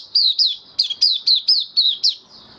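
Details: White-eye kept in a cage, recorded 18 May 2022 after deworming, giving about eight sharp, high, down-slurred chirps in quick succession, each clearly separated, with a softer trailing note at the end.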